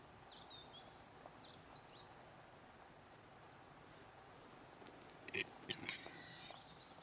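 Displaying male capercaillie: a sharp pop followed by a quick burst of dry, scratchy grinding notes, with thin chirps from small birds early on.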